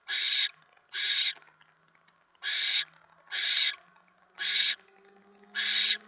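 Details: Nest of a barn owl during a mouse delivery, 10 November 2017 at 7:50 PM: six harsh noisy hisses, each about half a second, delivered in loose pairs and singles over quiet background.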